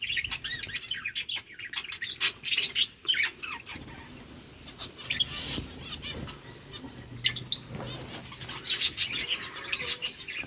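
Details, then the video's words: Lovebirds eat boiled rice, chirping in scattered sharp notes that thin out midway, then return as a quick run of shrill chirps at the end. "Birds chirping sounds Lovebirds eating food"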